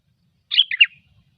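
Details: One brief, liquid phrase of quick slurred whistles from a sooty-headed bulbul singing in the gecor style, a song used to lure birds.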